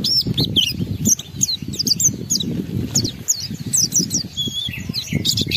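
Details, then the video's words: Oriental white-eye performing a fiery ngalas lure song to fire up other white-eyes: continuous high, thin, twisting chirps scattered through the clip over a steady low background rumble. "Pendongkrak Emosi Pleci Tercepat agar Pleci cepat Ngalas gacor buka paruh || Pancingan Pleci"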